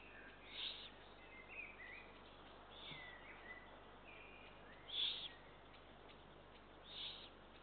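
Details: Four hissing, rasping calls from Eurasian eagle-owl chicks while being fed, recorded 2 June 2023, the loudest near the end, with faint chirps and buzzy notes between.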